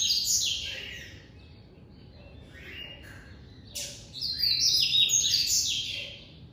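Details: Classic-style song of a White-collared seedeater from an amateur breeder: loud high chattering phrase, a quieter stretch of lower buzzy slurs, then another intense run of rapid, sharp, high-pitched twittering notes.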